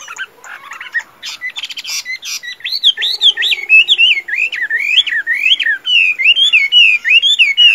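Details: Tame Chinese hwamei, noted as a strong singer and fighter, delivering fighting song: brief chattering notes, then loud, clear, looping whistles that rise and fall in quick succession, about two phrases per second.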